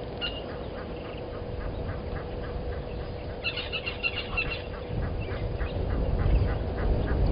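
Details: A male knob-billed duck at Gowrie dam waterhole, Djuma Game Reserve, Sabi Sand, South Africa, at 08:04 on 29 November 2020, gives short, rasping notes about three times a second, with a busier burst midway, over a low hum and rumbling background.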